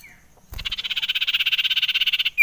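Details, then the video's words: Common iora (cipoh) call used as a lure to excite birds: a soft thump, then a buzzy trill of rapid pulses lasting nearly two seconds, ending in a sharp downward whistle. "Suara CIPOW / Cipoh Sangat AMPUH Menaikan EMOSI SIRTU APAPUN."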